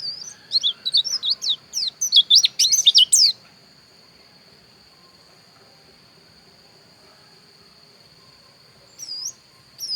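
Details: Pleci dakun bali, a white-eye from Pupuan, Bali, giving a rapid run of high, sharp, twisting chirps for about three seconds, then mostly quiet with a steady thin high tone and a couple of brief chips near the end.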